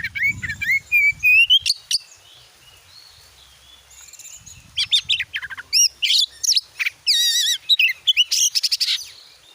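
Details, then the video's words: Oriental magpie-robin singing as a lure to spur a kept bird into song: a rising whistled phrase, a pause, then quick chattering notes, looped warbled phrases and dense rattling bursts, with a faint low rumble at the start. "jadikan burung Kacer anda cepat gacor dengan pancingan burung Kacer ini"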